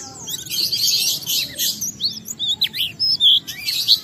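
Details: Oriental white-eye (pleci) singing as a lure for other white-eyes: dense high buzzy chatter at first, then separate sharp upslurred and downslurred whistles and quick twitters.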